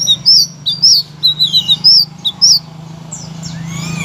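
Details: Blue-crowned laughingthrush song played as a master recording to stir silent white-rumped shamas, magpie-robins and leafbirds into loud singing; bright high chirped notes in quick irregular bursts, then fainter rising sweeps, over a steady low hum.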